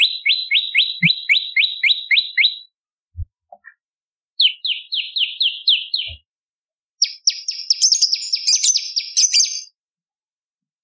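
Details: Prenjak lumut, the bar-winged prinia, in lively song for tutoring songbirds and luring: a quick run of bright descending chips, a pause, a shorter run, then a denser, higher buzzy chatter.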